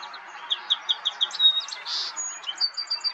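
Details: Song sparrow (Melospiza melodia) recorded in May in Ontario, Canada: a song opening with a run of about six evenly spaced sharp notes, then a clear whistled note, a buzzy burst and a quick trill of high chips.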